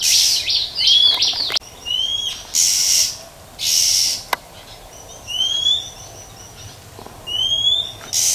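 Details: Female Oriental magpie-robin in the wild whistling and rasping to excite males. A quick cluster of whistles opens, followed by loud harsh hissing bursts and three separate upslurred whistles spread over eight seconds.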